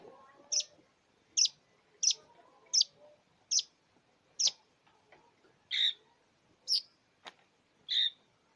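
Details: Long-tailed shrike singing a song packed with imitations of other birds. It gives a series of short, sharp, high notes spaced about every 0.7 seconds, with a few lower, burry notes near the end. The background is quiet.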